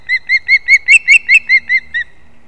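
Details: Osprey chick competition at a nest in a leaning old pine, Kurzeme, Latvia, dated 11-9-24. Ten clear, downslurred whistled chirps come in about two seconds, loudest in the middle.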